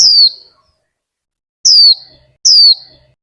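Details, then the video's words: Female Warbling white-eye kept as a cage bird in Vietnam, calling to prompt the male's song with three high, thin chirps that each drop in pitch, the last two close together. "Khuyên mái kích thích chim trống líu!"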